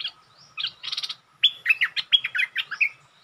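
A bulbul sings lively, bubbly phrases of short warbled and slurred notes, mid to high pitched, in quick bursts after a brief pause.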